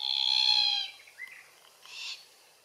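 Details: Glossy Black-Cockatoo, subspecies lathami, at feed trees in Capertee Valley. A long, rasping wail, then a short upward-sliding squeak and a brief, buzzy call.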